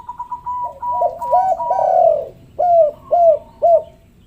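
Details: Spotted dove cooing used as a lure for lazy doves; a quick series of rising coos over a faint higher whistle leads into a long swelling note, then three loud arched coos half a second apart.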